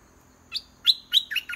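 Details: Caged decoy red-whiskered bulbul singing steadily to lure a wild bird down to fight; a short burst of bright, warbled whistled notes, one lone note then a quick run of four rising and falling phrases, with no other sounds.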